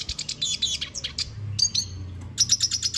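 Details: Red siskin delivering quick bright twittering phrases, stuttered high notes and a short buzzy trill, then a fresh run of rapid chips.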